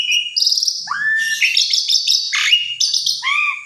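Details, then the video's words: Energetic Asian pied starling song meant to provoke another starling to sing: a high opening whistle, a rising slurred note, then dense buzzy and chattering phrases with sweeping whistles, closing on a falling-then-rising whistle. "Jalak Suren Macet !! Coba Pancing Dengan Jalak Suren Ini !! Respon Ngotot Gacor Isian Komplit"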